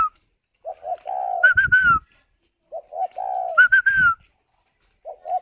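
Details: While incubating, a captive spotted dove in Ba Vi, Vietnam gives repeated coo phrases roughly every two and a half seconds: two short low coos, a longer purring coo, then higher whistled notes sliding down.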